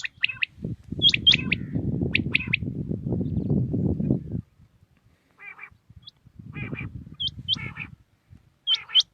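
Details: Common quail in Pakistan, early morning: sharp triple-note calls repeated, partly covered by a few seconds of loud low rumbling noise, with high upslurred whistles from another bird in between.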